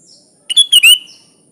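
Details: One brief bright phrase from a Sooty-headed bulbul in lively song: three quick linked notes, whistled and slurred, with the last note rising, then silence.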